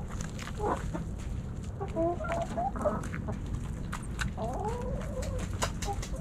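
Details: Hens and roosters in a backyard flock snacking on Thanksgiving; clear bent, tonal clucks near two seconds and a longer rising-and-falling drawn cluck past four seconds, with low rumbling noise throughout.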